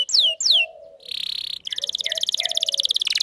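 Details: Canary singing as a lure for a male and a lesson for young birds: two loud descending whistles, a harsh buzzy note, then a rapid rattling trill with faint lower notes.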